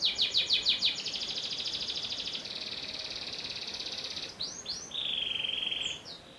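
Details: Canary of the panda variety, no cage bars, delivering a few loud chirps followed by a long even buzzing trill, a pair of upward-curving whistles and a steady rolled note.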